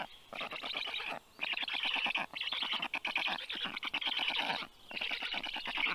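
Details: At feeding in a Tartu, Estonia veterinary clinic, rescued 29-day-old black stork chicks beg with grating, machine-gun-like pulsed calls delivered in several long bursts with short gaps between.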